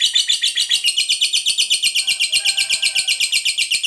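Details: Fighter lovebird in long ngekek chatter, used as a lure to provoke other lovebirds to answer: an unbroken, rapid, harsh high trill of about six notes a second, steady throughout, with a faint low tone in the background.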